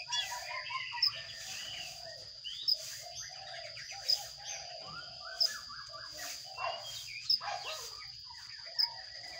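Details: Sparrow nestlings inside a nest box during feeding, giving a busy, continuous stream of short chirps and chattering notes, with sharp clicks about every one and a half seconds and a constant thin high-pitched hum behind.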